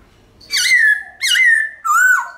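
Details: Three loud, clear whistled notes from a White-cheeked laughingthrush singing its forest-style song, each held and slightly falling, the last one lower and wavering.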